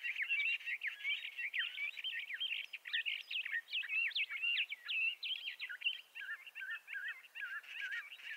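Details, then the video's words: Continuous song of a Bendire's thrasher: hurried, jumbled warbles and chattering notes, rising and falling, with brief slurred whistles near the end. "Bendire's Thrasher Bird Song"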